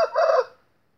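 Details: An Índio game rooster gives one short, hoarse crow lasting under half a second. It starts abruptly and fades quickly into silence.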